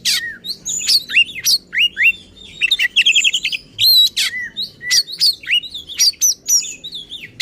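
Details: Agitated singing of an oriental magpie-robin, used to provoke others of its kind: sweeping whistled slurs, clipped chirps and short rattling trills in quick, varied succession with brief gaps.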